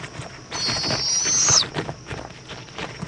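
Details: Indiantown, Florida owl nest, evening of February 11, 2014, as the mother brings a bug to the chick: a single harsh, hissing screech of about one second, with light shuffling sounds around it.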